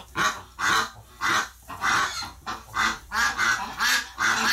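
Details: Upset flock of ducks reacting to the death of one of their group, November 2018: loud, drawn, grating quacks spaced fairly evenly, about eight in under five seconds.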